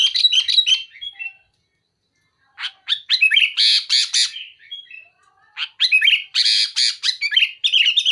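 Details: Sooty-headed bulbul spewing filler phrases and harsh, sharp scolding to press a rival: quick whistled notes, a one-second gap, then thick runs of rasping bursts and bubbly whistles.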